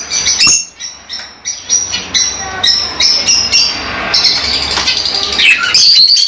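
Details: Lovebirds chattering in a group, shrill clipped chirps repeated several times a second at an uneven pace, high whistled squeaks blending into a continuous busy chorus.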